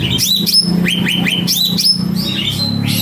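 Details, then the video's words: Cucak ranting (grey-bellied bulbul) singing vigorously: a rapid series of bright, upward-sweeping whistled notes, several per second, with a low steady hum underneath. "Burung Cucak Ranting Gacor Pol"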